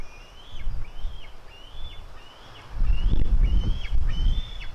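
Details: Two white-tailed eagle eaglets, a female and her brother, fighting at 16:09: a run of about eight thin, high, slurred calls, each rising then dropping, given every half second or so, with low rumbling noise growing loud in the second half.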